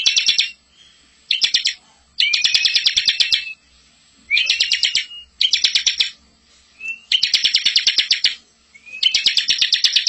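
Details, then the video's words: Bar-winged prinia master song, full-filled and rolling, for tutoring young birds: bursts of rapid buzzy chattering notes about a second long, separated by short pauses, with a thin rising whistle before some bursts. "masteran ciblek super gacor full isian ngerol cocok buat pancing ciblek muda"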